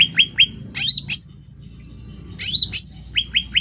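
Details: Sooty-headed bulbul singing vigorously, loud: short bright notes, some sharply down-slurred and others rising and upslurred, in two bursts separated by a quiet pause of about a second, with a low steady hum beneath.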